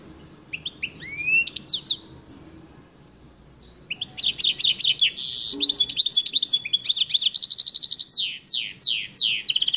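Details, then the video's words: Goldfinch mule song: a few upslurred chirps, a two-second pause, then a fast run of trills, buzzy rattles and repeated falling sweeps that continues to the end. "gold Finch mule song"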